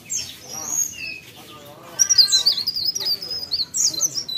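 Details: Mountain leaf warbler in energetic song, starting with softer scattered high notes, then a dense run of rapid, sliding, very high twitters, with a quiet murmur of speech underneath.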